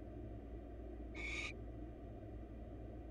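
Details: Wild barn owl at a monitored nest box as the male brings the female a mouse; a single harsh, hissing screech lasting under half a second over a steady low background hum.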